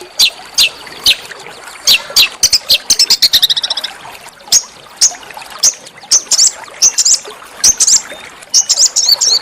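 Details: Small songbird master song for training shamas and magpie-robins: scattered sharp high chips, a brief fast trill in the middle, then clusters of piercing notes.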